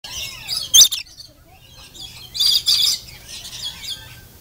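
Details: Lorikeets at Denver Zoo, being fed nectar, give harsh, rasping screeches in three short bursts over a few seconds, with a faint rising whistle at the start and low background hum.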